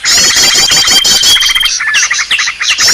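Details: Green leafbird in a noisy lure call: steady rapid chattering trill with a thin held whistle, then separate looping slurred whistles in the last half.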